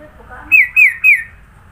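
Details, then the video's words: Sooty-headed bulbul from Sidoarjo, East Java, singing a varied song rich in isian filler notes: three loud, clear whistled notes, each sliding downward, evenly spaced about a quarter second apart over a faint low background hum. "Burung kutilang suara isian banyak"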